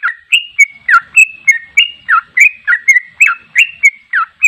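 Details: Sooty-headed bulbul delivering continuous ropel song, clear slurred whistles alternating high and low in a rapid, evenly paced string without pause.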